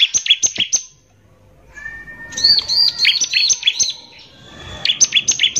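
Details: Bar-winged prinia lure song from a prolific singer with harsh shooting notes, used to rile other prinias: a quick run of high, sharp chirps, a second of quiet with a faint whistle, then a longer tumbling burst of shrill notes.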